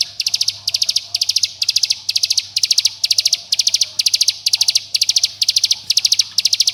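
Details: Bar-winged prinia used as a lure to prompt young birds to sing; calls summon companions and provoke rivals. Dense bursts of about five sharp, high metallic notes, repeated steadily about twice a second throughout, with no other clear sounds.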